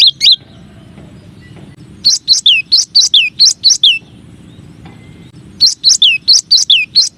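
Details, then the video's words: Cinereous tit masteran song, known locally as gelatik batu or gelatik wingko, from a set of nine variations: quick phrases of about six high, downslurred notes, each phrase separated by a short pause and repeated three times. "Suara Masteran Burung Gelatik Batu Atau Gelatik Wingko 9 Variasi"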